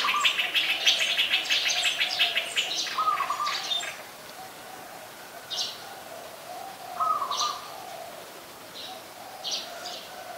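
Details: Streak-eared bulbul in Ubon Ratchathani, Thailand, 2 January 2021, calling: a rapid run of sharp, chirpy notes for about four seconds, then single high chirps every two seconds over a steady low drone.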